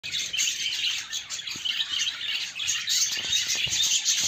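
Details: Pet budgerigars busy cleaning their nests, giving a dense, continuous chatter of high-pitched chirps and twittering notes that overlap without pause, suggesting several birds calling together.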